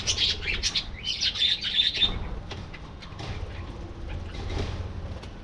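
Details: Budgerigars singing in a colony: a bright, rapid run of chattering warbled notes for two seconds, then quieter distant twittering over a low hum.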